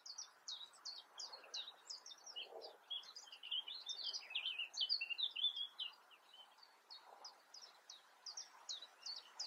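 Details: European crested tit in the Eifel, Germany: a long run of fast, high, thin notes, briefly thickening into a tangled chatter midway, then thinning to evenly spaced tsi notes; soft low background noise.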